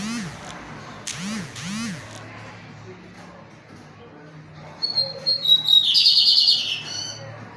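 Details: Lined seedeater in pirata song, singing strongly: several sliding squeaky whoops come first, then a series of short high whistles builds into a loud buzzy trill.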